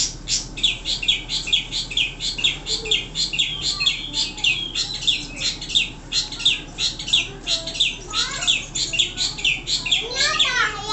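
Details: Long-tailed Shrike (pentet), a singing-contest bird in loud, vigorous song, giving a fast, unbroken run of high, scratchy chattering notes with sharp whistled sweeps, scarcely pausing; nothing else stands out.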